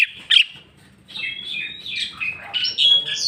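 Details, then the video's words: Greater green leafbird (cucak ijo) unloading its full repertoire of learned phrases (bongkar isian): a varied stream of clear whistled notes and slurred high chirps, some rising and some falling, with brief pauses between phrases and a faint low hum beneath. "cucak ijo mewah ful jamtrok bongkar isian"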